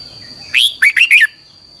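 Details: A single brisk phrase from a red-whiskered bulbul, sung as a training song in the long double twisted style: a slurred opening note, then three quick chirpy notes, with a steady high-pitched hum behind.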